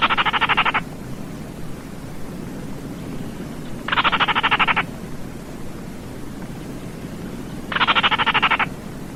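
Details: Repeated rattles of a Baillon's crake, three dry pulsed bursts of under a second each spaced almost four seconds apart, heard over a soft continuous hiss.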